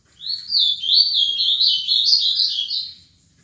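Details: A seven-year-old male ultramarine grosbeak, an eager singer, gives a continuous, rich warbling phrase of about three seconds, rapid notes sliding up and down in a high register, with faint low background rumble.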